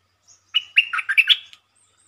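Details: A red-whiskered bulbul's lure song, short but sweet: a soft note, then a fast, rollicking phrase of about six loud, fluty whistles, clean and without background noise.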